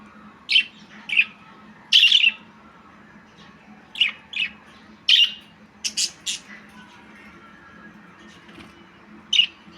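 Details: Budgie chattering with scattered sharp chirps and brief squawks, singly and in quick pairs, over nearly ten seconds against a steady low indoor hum.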